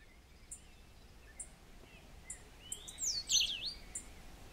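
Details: A Cabanis's ground sparrow (Melozone cabanisi) in Grecia, Costa Rica, gives high, thin ticks about once a second, then a brief burst of sharp, squeaky chattering over a soft steady hiss.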